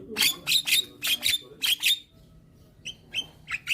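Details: Harsh, broad rasping notes, six in quick succession, then a pause and a few short clear whistles from a young white-eyed Javan myna that calls frequently while bobbing its head, used to lure hybrid mynas.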